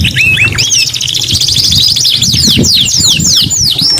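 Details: Canary in kenari gacor song: a short burst of rising notes leading into a rapid buzzy trill, then loud looping high whistles, with low rumbling noise below.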